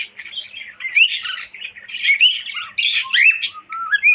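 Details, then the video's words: Pet cockatiel whistling a varied string of clear, sliding notes that rise and fall, some swooping upward, in quick bursts with short gaps; no other sounds. "Cocktail Parrot Whistling"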